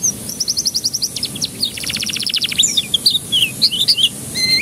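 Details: Canary song used to stimulate young canaries to sing: fast repeated high notes, a buzzy rapid trill, then varied whistled chirps and a rising final whistle.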